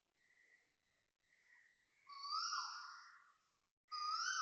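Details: Asian koel (Eudynamys scolopaceus) calling loudly at 6:38 am on 5 December 2025 at a residential block in Toa Payoh, Singapore: a few fainter, thinner whistles, then loud, rising whistled notes swelling in strength.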